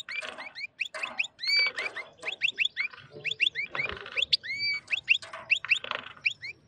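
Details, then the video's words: A wild male European goldfinch, excited while pairing with a white female canary, sings a strong, fast, tinkling song of bright rising and falling notes and liquid twitters, almost without pause. "الحسون الخلوي يتزاوج مع انثى الكناري بيضاء هيجان و تغريد قوي"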